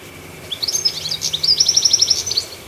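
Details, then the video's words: A goldfinch on a treetop gives one quick phrase of high, jangling twitters, ending in an evenly repeated run of short chirps lasting about two seconds. "Chirpy Goldfinch On The Tree Top"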